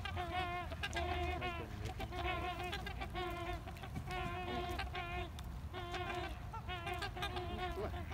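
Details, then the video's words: Several trumpeter swans in a heated exchange trade loud, nasal, horn-like honks in overlapping bursts, each about half a second long, over a steady low rumble of wind. "Trumpeter Swans are having a heated discussion"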